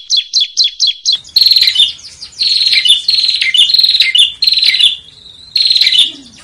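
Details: Bar-winged prinia song kept as a master recording for training competition songbirds: five rapid ticking notes open, then loud, bright chattering phrases with high whistled slurs in quick succession, a brief pause, and one more burst.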